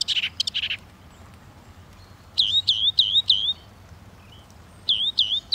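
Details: Northern mockingbird song in bursts: a quick trill of high notes, a pause, then a phrase of four rising-falling whistles, and after silence the same whistled phrase again.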